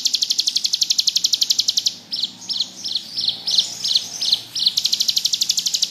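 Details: Ngebrem song of the bar-winged prinia (ciblek gunung), suitable as master song: a quick shrill trill, a run of about eight slower, distinct sharp chips, then the continuous rapid trill again.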